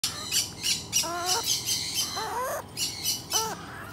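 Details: Yellow-backed chattering lory giving three nasal, squawking calls about a second apart, set against repeated sharp, hissy high-pitched bursts.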